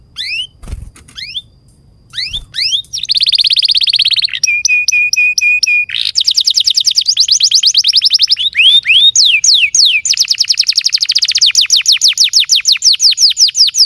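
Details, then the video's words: Long, vigorous canary song for prompting and tutoring young canaries to sing: rapid trills of repeated downswept notes, steady whistled tones and fast rolling phrases, changing tempo every few seconds, loud and continuous. "Kenari GACOR PANJANG INI Cocok untuk Pancingan, Masteran KENARI PAUD dan Kenari Macet BUNYI"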